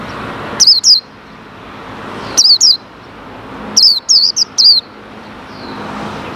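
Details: A caged white-eye being tested in Indonesia, with wild white-eyes said to be arriving, gives short bursts of high, thin, twittering notes, about four phrases in six seconds, over a faint background hum.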